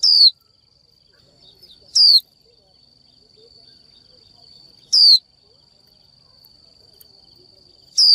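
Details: Japanese white-eye female calling to a male with the 'chíu' note, meant to trigger male singing. Four piercing downslurred whistles spaced two to three seconds apart, a constant high hum underneath.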